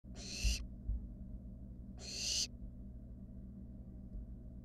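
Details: Wild barn owl in a monitored nest box with its siblings, giving two harsh, broad hissing screeches about two seconds apart, each roughly half a second long, over a low background hum.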